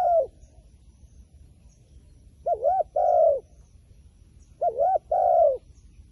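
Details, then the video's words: Wild pigeon giving two spaced coo phrases. Each is a brief undulating note, then a fuller sustained coo that tails downward, separated by about two seconds of quiet except a low hum. "ប៉ះហើយលលកព្រៃបណ្ឌិត ធ្នាក់ធ្វើដាច់ខ្យល់ | This wild pigeon is very smart, afraid of the phone camera"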